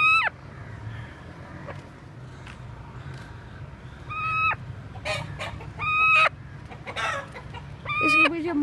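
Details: A just-caught Aseel rooster gives four short, loud, harsh squawks a second or two apart, with rustling and flapping between them and a low background hum.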